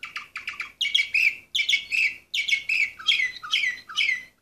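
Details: Harsh, grating chatter from an Orpheus canary, entry number 24 of 2014, delivered in short rasping bursts of roughly two per second with brief pauses between phrases.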